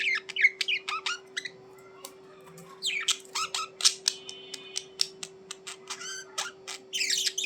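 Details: Budgerigars in lively chatter of harsh buzzy squawks, clicks and short whistled notes, coming in quick bursts over a constant low hum.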